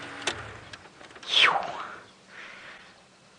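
A click, then a loud falling mechanical whine like a power window or sliding door, fading into a softer whir.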